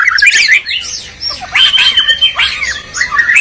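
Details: A Medan bird and a Borneo bird, both white-rumped shamas, sing against each other in loud, varied phrases of slurred whistles and harsh notes, coming in uneven bursts.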